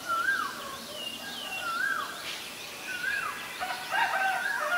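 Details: Black-collared starling, Ubon Ratchathani, Thailand, April 17 2022: a series of clear downslurred whistles repeated roughly every second, ending in a jumble of harsher squeaky notes, with faint high chirps behind.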